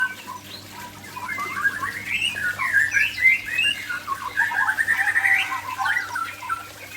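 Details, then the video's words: White-rumped shama of the Aceh type, heard on a relaxed late afternoon: a continuous jumble of varied chirps, slurred whistles and squeaky notes over a steady low hum. "Murai Aceh"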